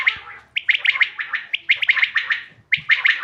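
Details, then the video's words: Quail calls for hunting, dated 5 June 2025: a fast chattering run of sharp, buzzy notes repeated several times a second, pausing briefly before resuming. "bater ki awaz shikar k liye behtareen awaz quail bird sounds for hunting بٹیر کی آواز"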